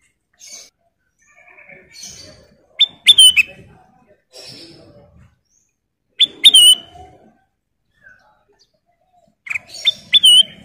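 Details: Female sooty-headed bulbul (kutilang emas) singing: three short bursts of clear, sharply rising whistled notes ending in a fluting warble, spaced a few seconds apart, with quieter chirps between them.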